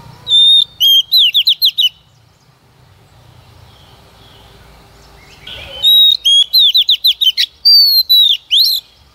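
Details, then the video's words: Female Oriental magpie-robin used as a lure to stimulate males to sing: a clear whistled phrase then rapid slurred descending notes, a quiet pause of about four seconds, then a longer burst of whistles and quick chirps. "Chòe Than Mái mồi hót cực hay kích trống mở mỏ"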